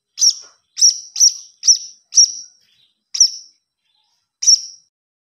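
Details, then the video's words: Nestling blue-crowned hanging parrot calling for food, a run of five quick piercing squeaks followed by two spaced single notes, each high, sharp and slightly buzzy, in a quiet background. "Suara Anak Burung Serindit"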